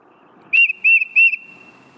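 Tufted Titmouse song: three clear, high whistled notes, each slurring down slightly, repeated quickly with a ringing tone that lingers between them.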